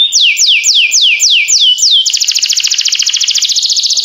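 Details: Singing canary: a run of six downward-sweeping slurred whistles, then a fast, even rolling trill of rapid repeated notes for the last two seconds.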